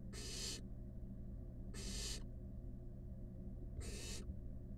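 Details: Five wild barn owl nestlings snuggling together in a monitored nest box: three harsh, breathy hisses, each about half a second long, roughly every 1.7 seconds over a steady low hum.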